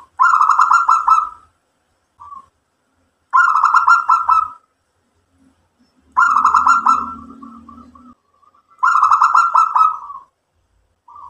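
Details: A local zebra dove gives rapid, stuttering cooing phrases meant to provoke other doves into answering, each about a second long and repeated roughly every three seconds, over a faint low hum.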